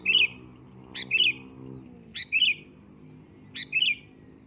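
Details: Loud calls of a sooty-headed bulbul, meant to prompt a reply: four quick, bright, bubbling phrases spaced about a second apart, each opening with a sharp note, with low background rumble.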